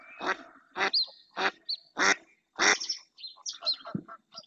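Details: A female mallard in the Doñana marsh, Spain, quacks insistently as another female and a pair of males draw near. Five loud, coarse quacks at an uneven pace, followed by softer nasal notes and high chirps.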